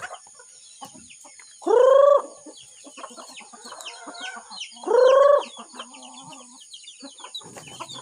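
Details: Chickens in the morning at feeding time: two loud drawn-out squawking calls about three seconds apart, with softer clucks and chatter between and a steady high electrical whine throughout.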